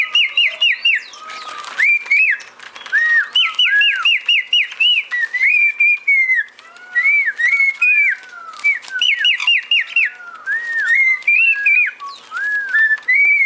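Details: Whistled tune from a male pet cockatiel: quick runs of short repeated up-slurred notes alternate with longer level whistles and swooping phrases, sung continuously for about thirteen seconds with little background sound.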